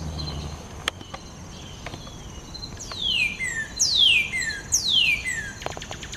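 Northern Cardinal giving three loud, clear whistles that slur steeply downward, about one per second, after a few faint chirps and soft clicks.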